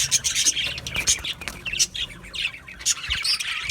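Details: A group of budgie parrots trades quick, piercing chirps and short, harsh squawks in rapid, irregular bursts.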